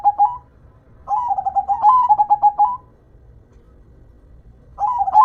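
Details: Perkutut (zebra dove) manggung: a short coo, then a long phrase of quick, evenly pulsed soft notes that rise slightly and roll on for nearly two seconds. After a quiet pause another phrase begins, with faint low background hum.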